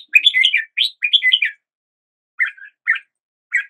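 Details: Morning song of a red-whiskered bulbul: a run of rolling, slurred chirps in the first second and a half, then a pause and three short separate notes.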